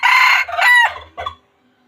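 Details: Wild junglefowl crowing: one loud, harsh, harmonic-rich crow in broken segments lasting about 1.4 seconds, then silence.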